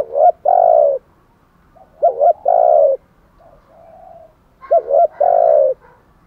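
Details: Cooing decoy spotted dove, kept to excite and lure wild birds, delivers three loud phrases, each a brief doubled note then a long drawn coo, about every 2.4 seconds, quieter hum between.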